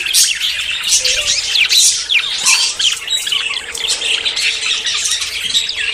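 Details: Courting budgerigars about to breed give a constant flock chatter of shrill chirps, squeaky whistles and brief squawks, layered thickly, with a faint low steady hum beneath.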